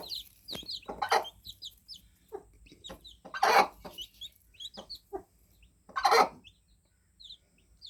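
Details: Young fluffy chicks, newly hatched, giving scattered high, sharp cheeps, some in quick pairs, between several loud broadband rustling bursts and scattered soft taps.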